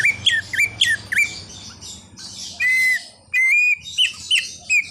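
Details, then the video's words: Mimicry-rich song of a greater green leafbird, whose repertoire includes a car horn imitation. Quick looping whistles and squawky chirps give way to two long, steady, horn-like held tones, then more clipped bright notes. "Cucak Ijo Full Isian_Ada Bunyi Klakson Mobilnya Juga"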